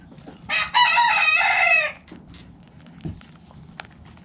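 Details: Rooster crowing at a backyard chicken coop during feeding: a brief lead-in note, then a long, strident, harmonic crow of about one second that drops at the end, followed by faint clucks and clicks.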